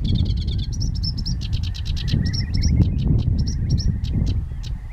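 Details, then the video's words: Sedge warbler singing in June 2011: rapid dry chattering notes mixed with short high whistles, delivered in a continuous jumbled stream over a steady low rumble of wind or background noise. "Sedge Warbler singing"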